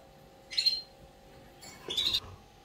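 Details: Canaries before the breeding season give two short high chirping phrases, each a bright thin trill under a second long, separated by a pause, over a steady low hum.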